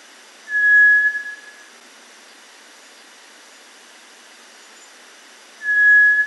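A Cinereous Tinamou gives a single pure, level whistle about a second long, repeated after roughly five seconds, over a quiet background.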